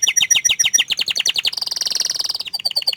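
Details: Canary, shy and keeping its face hidden, singing fast repeated chirping syllables in rapid trills, then shifting to a sustained high buzzy rolling trill and ending with brief clipped notes.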